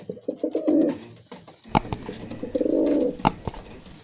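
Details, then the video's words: A domestic Musaldom pigeon gives two low, burbling coos a couple of seconds apart, with sharp clicks or taps sounding between them indoors. "Musaldom Pigeon sound"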